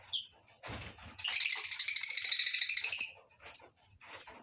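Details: Lovebirds in a small colony aviary on a breeding farm in the morning, with masked and Fischer's lovebirds present; a rapid buzzing, rattling chatter of harsh notes over two seconds, framed by sharp high squeaks and a brief low thump.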